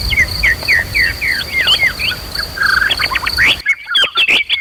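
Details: Emotional white-rumped shama singing meant to provoke rivals into fighting and singing; a run of rising and falling whistled notes, then an abrupt switch to louder, sharper phrases, with a steady high drone behind.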